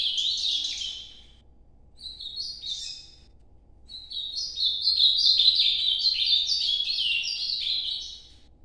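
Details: Ultramarine grosbeak singing the Nordeste style of song: a short whistled phrase, a second brief phrase, then a long warbled run of quick descending notes, all high and clear over a quiet background.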